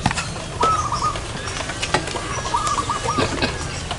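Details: Zebra dove calling during a luring session in front of a house: soft, trilled, bubbling coo phrases, each about half a second long, repeated twice over a steady background hiss with scattered clicks and wingbeat-like noises.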